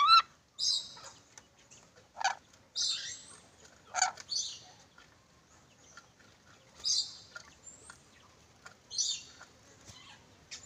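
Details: Sulawesi ornate lorikeet uttering loud, harsh, grating screeches in short bursts, roughly every one to two seconds at first, then a pause and two more screeches after a quiet stretch; soft clicks in between.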